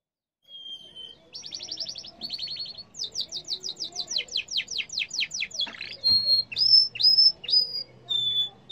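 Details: Yellow canary singing a varied phrase: a held whistle, two rapid buzzy trills, a long series of rhythmic descending sweeps, then a burst and several rising-falling whistled notes, with a faint low hum.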